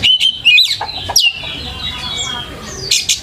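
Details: Short burst of white-rumped shama song played as a lure: sharp clicks and quick whistled notes, then a long drawn-out descending whistle fading into soft rustling noise.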